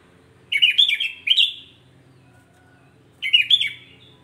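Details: Sooty-headed bulbul delivering provoking song to other bulbuls: a chattering burst of three bubbly, warbled whistles, a two-second pause, then another similar liquid phrase. Background is quiet apart from a faint low hum.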